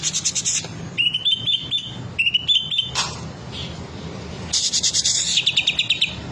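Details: Green leafbird displaying its song repertoire: harsh buzzy bursts framing two phrases of rising, stepped whistles, then a long rasping chatter with whistled notes at the end, over a low hum.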